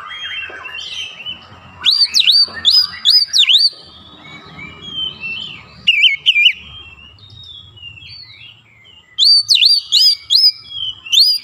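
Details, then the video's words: White-rumped shama song used as a lure to provoke other birds: loud whistled phrases with swooping notes, in bursts near two, six and ten seconds, separated by quieter background chirps. "KACER MANAPUN GAK BAKALAN DIAM MENDENGAR PANCINGAN AMPUH TERCEPAT BIKIN EMOSI"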